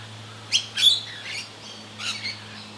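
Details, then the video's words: Australian rainbow lorikeet calling during frantic, acrobatic feeding, typical ceaseless chatter of the species; sharp shrill squawks followed by softer rasping and a short screech near the end, over a faint low hum. "Rainbow Lorikeets"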